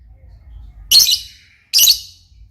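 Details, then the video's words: Lovebird calling eagerly indoors: two loud, harsh, buzzy shrieks almost a second apart, each trailing off quickly, with silence between them. "burung Lovebird paling keren dan gacor"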